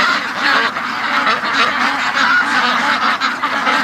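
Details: Domestic ducks in a pen, waiting late in the morning to be let out after long non-stop calling; a dense flock chorus of honking, nasal quacks runs unbroken through the recording.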